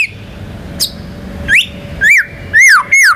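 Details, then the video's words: White-rumped shama song in the ngerol and nembak fill style, used to prompt other birds to sing. Sparse, clear whistled notes, each rising and then falling, come every half second or so over a faint hum. "MURAI BATU GACOR MANCING BURUNG LAIN BUNYI‼️ MATERI ISIAN NGEROL NEMBAK IRAMA LAGU LENGKAP"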